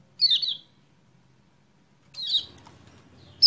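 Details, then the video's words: Lemon-bellied white-eye (kecial kuning) lure to get a silent caged bird singing: two warbling, downward-sliding high phrases about two seconds apart, ending with a brief loud note. "PANCINGAN CEPAT GACOR UNTUK KECIAL KUNING MACET"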